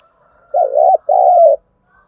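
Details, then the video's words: Spotted dove cooing as a decoy call used to stimulate and train newly caught birds: two low, mellow warbling coo phrases of about half a second each, separated by a brief pause, in otherwise quiet surroundings. "Tiếng chim cu gáy kích bổi nhanh nổi, Tiếng cu gáy mồi thúc luyện bổi"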